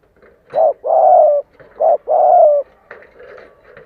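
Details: Spotted dove kept as a decoy, cooing to bring wild doves in to fight; a brief note and a long downslurred coo given twice, followed by faint indoor background noise.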